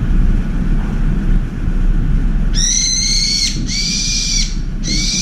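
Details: Angry brown-eared bulbul at a window feeder, giving a shrill, ear-splitting screech to drive off an oriental turtle dove: three loud, harsh strident bursts of about a second each, over steady low background hum.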